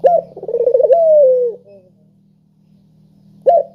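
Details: Spotted dove coo used as a lure to prompt reluctant doves to call: a rolling, pulsed trill that smooths into a long, gently falling cooing note. A second call starts near the end over a steady low hum.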